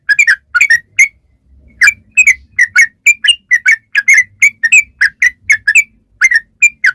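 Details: Singing yellow-vented bulbul used as a lure so other bulbuls answer: a brisk chain of sharp, slurred chirps, some paired, repeated several times a second after a brief opening pause.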